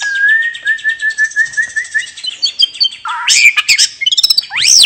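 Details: White-rumped shama, a relaxed open-voiced song used to get other birds singing: a steady series of short even whistles over a thin high buzz, then a lower double note, mixed chips and a rising swoop.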